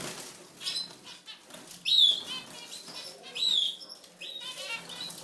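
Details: European goldfinch singing in short bursts of bright, high twittering and clear whistled notes, separated by brief pauses, fairly quiet with light background noise.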